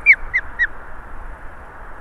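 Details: Osprey at its nest in Estonia on 8 August 2019 around midday, calling while fending off an attacking goshawk. Three sharp, downslurred whistled notes come in quick succession, followed by a steady background hiss.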